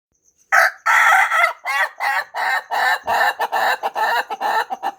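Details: Rooster crowing at length in the morning, a long stuttering run of rapid, choppy syllables repeated about three per second. A steady high insect ticking is heard before the crow begins.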